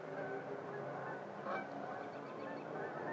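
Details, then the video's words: Geese at a park during a winter sunset honk in nasal, irregular calls, loudest near the middle, over a steady wash of distant traffic and wind. "Geese, Cars, Wind"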